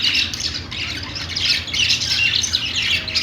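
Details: Pet budgerigars singing on a perch: dense, unbroken, high chattering warble with rapid squeaky chirps overlapping throughout. A low steady hum sits in the background.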